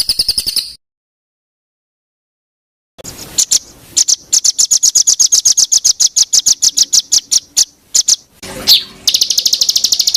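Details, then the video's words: Songbird recording used to tutor caged songbirds: a brief shrill trill, a pause, then an irregular run of sharp high chips and buzzy notes that build into a dense, piercing trill. "BURUNG FULL ISIAN TEMBAKAN"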